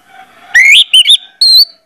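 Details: Lure song of an Orange-headed thrush, used to make birds sing readily: one long rising slurred whistle, two quick twisting notes, then a thin high whistle, over a faint steady background tone.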